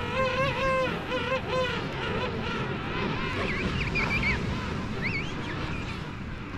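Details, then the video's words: A colony of king penguins on South Georgia trumpets in wavering, buzzy bursts over a steady colony din, with higher squealing calls and a low rumble of wind in the background. King penguin. "a colony of king penguins"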